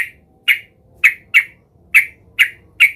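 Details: Sooty-headed bulbul, emotional and searching for a rival, gives seven harsh, clipped notes at irregular intervals of roughly half a second.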